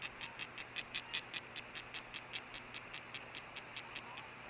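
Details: Female osprey at her nest on August 10, 2013, late morning, buzzing after the male delivered a fish; even series of dry raspy pulses, roughly two to three per second, over constant background hum.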